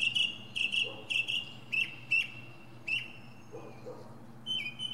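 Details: Mockingbird perched atop a pine, repeating a buzzy, slightly descending note in quick pairs, then shifting to a new whistled phrase near the end; faint low hum beneath.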